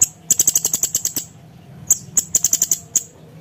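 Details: Sharp 'nembak' song of cucak cungkok, the grey-cheeked bulbul, as tutor audio for contest birds: two fast runs of about ten piercing high ticks each, separated by a short silence.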